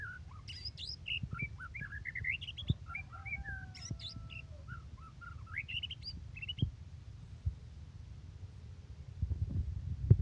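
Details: White-rumped shama in lively song: varied slurred whistles, rising and falling, delivered in quick phrases against a rumbling noisy background.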